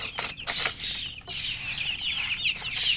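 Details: Chicken chirping: high, downward-slurred peeps following one another rapidly, partly buried under broad rustling and clattering noise.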